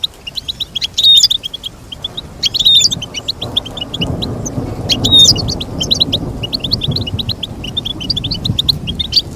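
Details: Goldfinch song used to teach birds: continuous rapid high twittering, punctuated by three louder, brighter bursts, over muffled low background noise.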